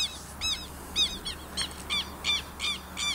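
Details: Southern lapwing, known locally as quero-quero, giving sharp, shrill, harmonic calls repeated about every third of a second in an irregular series, with a faint low hum in the background.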